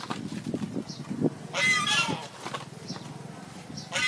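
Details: One of a pair of pet geese kept at a college in Phnom Penh gives a loud, harsh honk, with a few shorter nasal calls before and after, over faint background murmur.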